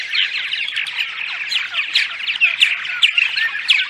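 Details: Purple martins giving dawn song, a pre-dawn lure for nest sites: short, rich, liquid chirps and croaks tumbling rapidly, overlapping voices, with a few louder rising notes near the end.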